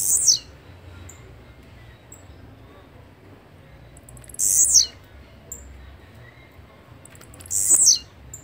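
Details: Blue-black grassquit song: three short, high, buzzy bursts sliding downward, each under half a second, spaced roughly every three and a half seconds over a quiet background.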